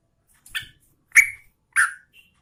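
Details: Female Yellow-vented Bulbul calling to the male: three short bubbly notes, each louder and fuller than the last, evenly spaced about half a second apart.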